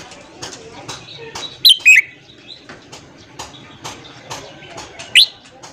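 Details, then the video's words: Red-whiskered bulbul singing in the morning, used for training newly caught birds: a few short, loud whistled notes swooping between mid and high pitch, separated by long gaps, over faint clicks and low background hum. "luyện giọng chào mào hót sáng kích lửa cho chào mào bổi"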